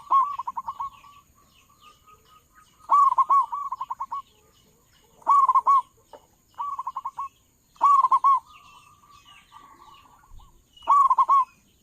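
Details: Zebra dove, local type with a big voice, a lure call for catching doves: repeated bouts of rapid rolling coos, loud warbled bursts alternating with quieter trills, with a faint steady high whine.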